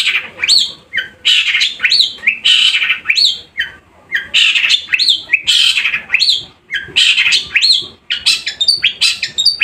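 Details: Caged long-tailed shrike in loud full song: a series of rough, squawking phrases with rising whistled sweeps, delivered in bursts about once a second with brief pauses between.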